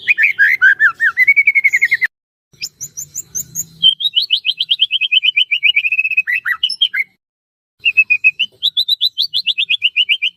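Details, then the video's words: Caged white-rumped shama singing as a trainer to stir other shamas: fast strings of clear whistled notes, some falling series, broken by brief silences and a few sharp high chips. "burung murai batu gacor AMPUH buat PANCINGAN dan MASTERAN murai batu agar bunyi GACOR EMOSI"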